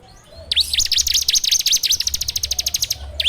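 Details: Bar-winged prinia (ciblek) singing for a training lure, recorded on Android: a dense, slightly uneven run of sweeping chip notes, almost three per second, forming a continuous scratchy trill over a faint low hum.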